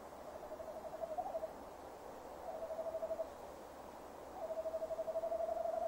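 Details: Male tawny owl calling near a nest box on a camera-watched site, 15 December 2015 around 17:10; three drawn-out, tremulous mid-pitched hoots, each wavering steadily, separated by short pauses, with a faint background hiss.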